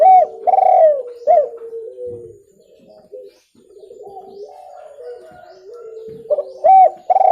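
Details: Spotted dove cooing, used for luring birds: clear, repeated low coos with stressed notes at the start and end and softer, quieter cooing in between; recorded indoors.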